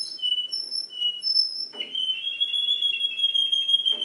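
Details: A canary, in a song said to parody other birds, sings clear, high whistled notes in short phrases, then breaks into a long, steady rolling trill that runs to the end.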